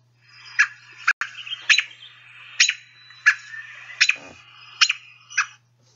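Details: American Robin alarm calls, a field-guide recording from the northeastern U.S.: a series of sharp, clipped putt and peak notes, roughly every half to one second, with a low steady hum behind.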